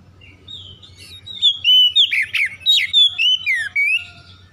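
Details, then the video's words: Oriental magpie-robin singing as a quick lure to make other magpie-robins sing: soft lead-in, then dense loud sequence of swooping whistles and sharp downstrokes repeated several times per second, low hum beneath. "PANCINGAN TERCEPAT KACER MACET BUNYI LANGSUNG GACOR"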